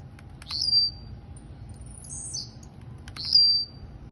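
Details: Kept blue-black grassquit (tiziu) in Campo Grande, Rio de Janeiro, giving two short, sharp buzzy phrases about three seconds apart, with faint high twittering between them and a low background hum.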